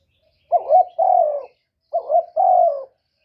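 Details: Spotted dove used as a lure bird, giving two coo phrases, each a short rolling double note followed by a longer, steady, mellow coo that falls slightly at the end; quiet background.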